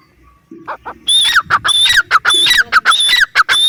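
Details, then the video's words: A grey francolin (teetar) gives loud, harsh, ringing notes, repeated rapidly in short bursts, each with a shrill whistled top and a falling squawk. "teetar ki boli | teetar ki awaaz | francolin voice | Partridge sound"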